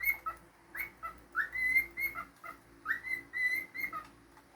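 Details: Pet cockatiel whistling two phrases, each with a rising sweep into long, level, clear tones and closing lower notes, sung in a quiet room.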